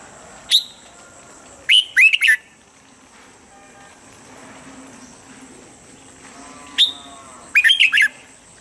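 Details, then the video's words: Red-whiskered bulbul training song in standard voice for mornings: two matching phrases about six seconds apart, each a sharp note followed by a quick cluster of bright, slurred whistles, with a low steady hum and faint distant sounds between. "Luyện giọng chào mào âm chuẩn mỗi sáng giúp chim nhanh căng lửa"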